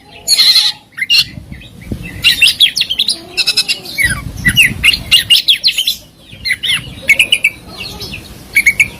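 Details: Oriental magpie-robin, kept for singing contests, giving fills and shots: scratchy, squawky bursts mixed with short whistled slurs in quick clusters, over low rumbling noise.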